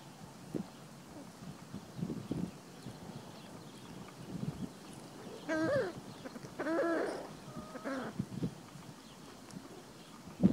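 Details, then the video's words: Free-ranging chickens in spring with a white rooster guarding his hens as they forage: a quiet cluster of short, tonal, arched calls midway, three or four in quick succession, over soft scratching and pecking noises. "Chickens and Rooster HARMONY- Chicken Sounds ASMR"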